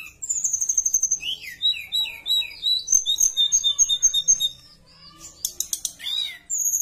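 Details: Javan bush lark in energetic song, a lure for other larks: quick repeated high chirps, slurred notes, and long thin whistles, later rapid clicking notes and a falling whistle.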